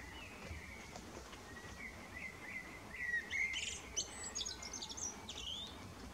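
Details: Male common blackbird serenading in the evening: soft low warbled notes build into a louder jumble of high squeaky twitters and chattering slurs, over a steady quiet outdoor hiss.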